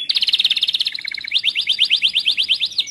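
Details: Timbrado canary singing a training song: fast repeated notes, first a dense trill near the top, then a lower rolling run, then a chain of quick rising chirps about six per second, loud and clean.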